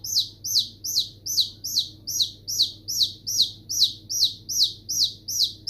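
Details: Baby chicks produce a rhythmic series of piercing, falling cheeps, roughly two and a half each second, over a low background hum.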